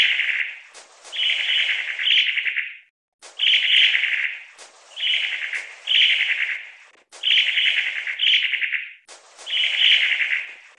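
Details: Long-tailed tit (Aegithalos caudatus) repeating dry, buzzy churring rattles, often paired, around ten over eleven seconds with short silent breaks and small clicks at onsets.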